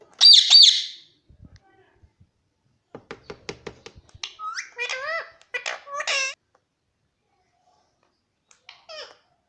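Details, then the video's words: Indoor pet Alexandrine parakeet (pahadi parrot) opens with a harsh squawk, then a run of dry clicks and a series of short, bent, whistled notes rising and falling, with a couple of brief chirps at the end. "pahadi parrot natural sound"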